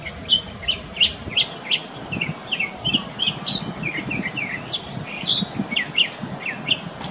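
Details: Song of a mockingbird at Varadero, Cuba, September 2023: quick, varied chirps and whistled slurs, some rising and some falling, strung together almost without pause over a soft low rumble.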